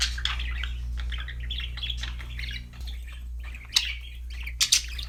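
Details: Budgerigar warbling: a run of soft, scratchy chirped notes in the first half, thinning out later into a few sharp bright chirps, with a low electrical hum underneath.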